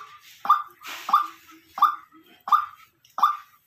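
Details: White-breasted waterhen decoy bird calling, five strong clipped notes at regular intervals of about 0.7 seconds, a brief splashing burst near the second note.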